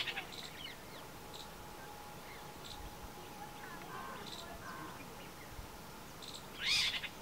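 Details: Spotted owlet at Bharatpur giving scattered harsh, scratchy screeches, faint at first, then one louder chattering burst near the end, over a steady low background hum.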